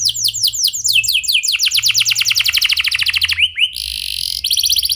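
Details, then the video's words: Canary singing a clear rolling song, played as a lure to get other canaries singing: rapid series of descending high whistled notes forming trills that change speed and pitch, ending in buzzy rattled phrases. "Suara Kenari Gacor Ngeroll Jernih Ini"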